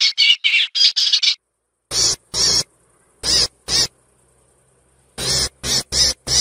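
Eastern olivaceous warbler: a quick scratchy chatter of about five notes, then loud, harsh, rasping bursts in pairs and short runs, with pauses between.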